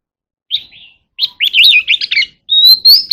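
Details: Oriental magpie-robin in energetic contest singing: a short whistled note, a pause, then a quick run of looping, warbled phrases, followed by a long clear whistle that rises gently, with bright clipped notes at the end; no other sounds.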